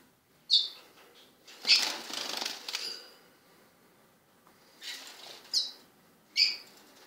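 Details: Two 16-day-old lesser goldfinch chicks give a few short, thin, high chips at irregular intervals, mixed with soft bursts of fluttering wings.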